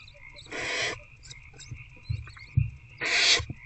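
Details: Nighttime nest-box scene of barn owls, 19 February 2024, an adult bringing a rat to an older owlet; two strong rasping hisses two and a half seconds apart, with soft knocks and clicks between and a humming background.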